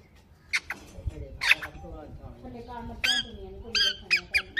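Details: Pet Indian ringneck (Mithu) parrot making loud, harsh high squawks in short bursts, several close together near the end, over a man's low talking voice.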